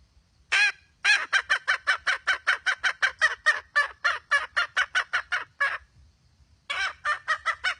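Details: Red junglefowl hen uttering an opening rough cackle, then a fast train of raspy clucks that slows and spreads out, a second-long gap, and another short burst of quick notes.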